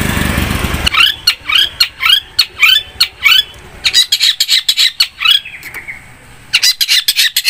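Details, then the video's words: ['Long-tailed shrike, loud and active, giving rapid falling whistled notes in a quick series, then dense harsh rasping chatter; a noisy rush is heard at the start.'] "PANCINGAN BURUNG CENDET GACOR 100%"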